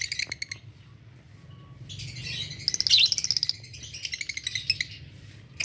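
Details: Adult green Fischer's lovebirds chattering in the morning with shrill rapid chirps and squeaky twitters, rising to a dense burst in the middle, against a faint low hum.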